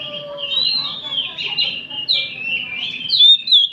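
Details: Afternoon chorus of oriental magpie-robins recorded for training; long drawn whistles and slurred phrases overlap steadily, ending in louder clear upslurred notes.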